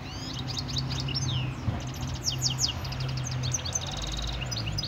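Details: Goldfinch mule singing, Algeria, 2018: fast run of twittering, chirpy notes, bursts of rapid buzzy trills, and sliding whistled phrases, high-pitched and continuous, over a steady low hum.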